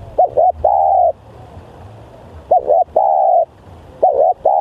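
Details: Lure recording of a spotted dove described as very vocal. Three mellow cooing phrases, each a short wavering double note then a long sustained coo, with a low background hum.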